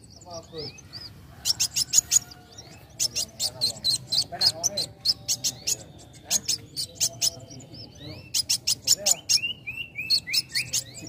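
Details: Young sunbird singing to provoke other birds to sing: bursts of very high, thin, rapid ticking notes alternate with short rising and sliding whistles, repeated in clusters over a faint low hum.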